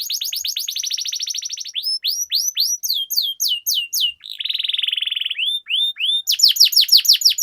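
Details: Long-rolling canary song meant as a lure to make caged canaries sing. It holds a rapid trill, then a run of spaced downward sweeps, then a smooth buzzing roll, and ends with renewed sharp descending notes.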